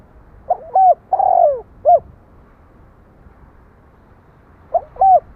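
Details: Spotted dove cooing: one complete four-part phrase with a long falling middle note, then after a pause of about three seconds the opening notes of a second phrase.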